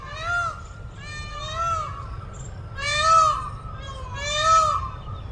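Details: Peacock (male Indian peafowl) perched in a neem tree giving four loud, nasal, wailing calls, one about every one and a half seconds, each swelling then fading, over a steady high hum and low rumble.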